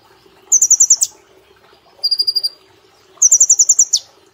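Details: Caged brown-throated sunbird delivering competition-style song meant to train other cage birds. Three short, rapid trills of piercing high notes, the first and last ending in a swift falling slur.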